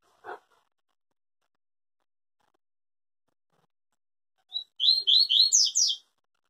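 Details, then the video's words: Yellow-bellied seedeater singing the pure Tui Tui song style, said to never break in song. A single knock sounds first, then after a long silence come a short note and a fast run of buzzy, sweeping phrases. "Papa Capim Tui Tui zero zero puro"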